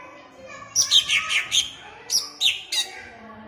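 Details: Caged greater green leafbird in Jatirejo, Ampelgading, Pemalang, uttering two short clusters of loud, squeaky, slurred notes that drop in pitch, against a low murmuring background.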